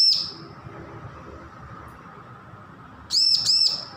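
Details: Juvenile bar-winged prinia learning to sing, with the tail of one high note followed, after a long quiet stretch, by two clipped arched chirps.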